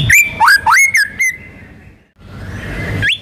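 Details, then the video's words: White-rumped shama singing a quick burst of rich, fluty whistles with sharp upslurs, then falling quiet before one last rising note. "MURAI BATU GACOR MANCING BURUNG LAIN BUNYI"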